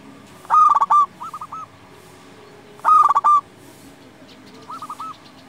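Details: Indonesian local zebra dove singing hard, a lure for wild doves and a tutor for silent ones: two loud stuttered coo phrases about two and a half seconds apart, each followed by softer three-note coos.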